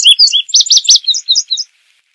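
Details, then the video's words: Indigo bunting singing a quick run of high, sweet paired notes, some slurred up and down, others clipped and chevron-shaped, the phrase lasting under two seconds with no other sound. "Azulejo Indigo Canto! Llamado! Sonido! Cantando! - Indigo Bunting Song - Passerina Cyanea"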